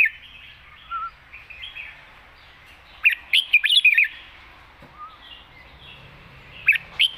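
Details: Red-whiskered bulbul wild-style song in long phrases, a lively cluster of quick liquid warbles near the middle and another brief burst at the end, over a soft constant background hiss.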